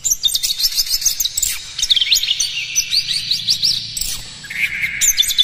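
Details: Captive-bird stimulus recording of Oriental magpie-robin morning song; dense, varied high whistles and chirps tumble quickly over a continuous buzz, ending in a lower sustained trill.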